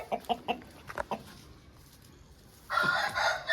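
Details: Aseel rooster: several short clucks early on, then after a quiet pause a loud, rich crow begins and runs to the end, cut off.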